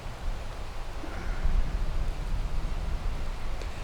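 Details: In Alabama big woods during the late turkey season, only a low, steady wind rumble and faint rustling are heard.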